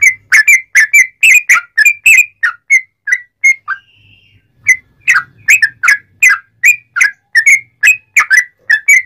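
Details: Sooty-headed bulbul lure song meant to excite other bulbuls into singing: dense bursts of bubbly whistles, a brief pause with a faint thin tone, then another rapid run of rising and falling notes.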